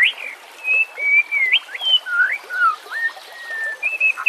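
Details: White-rumped shama song used as a lure and for training reluctant birds, set against natural sounds with trickling water: clear, slurred whistles that rise and fall, with sustained notes and quick upward sweeps, steady water murmur underneath.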